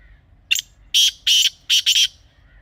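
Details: Grey francolin call for hunting use: a brief clipped lead note followed by four powerful rasping syllables, the last two tightly paired, with near silence around them.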